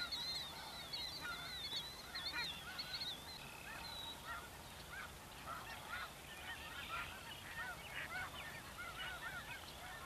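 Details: Feeding flock of snow geese, Snows and Blues mixed with Ross's geese and other waterfowl, during spring migration through the Dakotas; many overlapping yelping honks, loudest in the first two seconds, then a steady crowded babble.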